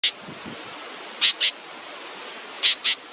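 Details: Baby bird waiting for its mother gives short, high, harsh chirps, first one alone and then two quick pairs about 1.4 seconds apart, over a steady hiss of background noise.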